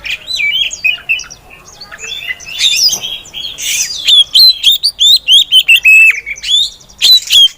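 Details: A female Oriental magpie-robin sings to spur other magpie-robins to sing. She starts with softer twittering, then gives a rapid, loud run of clear whistled notes and sharp chirps, repeated in quick succession.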